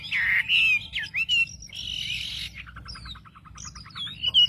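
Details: Wambi lure song for provoking other wambi birds: bright slurred whistles, a dense chattering burst, then a fast trill of short even notes and high rising whistles.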